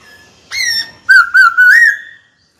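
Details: Black-throated laughingthrush, a caged bird trained to call a rival to fight, gives one sliding whistle and then three clear, wavering whistled notes running into a long, steady falling tail.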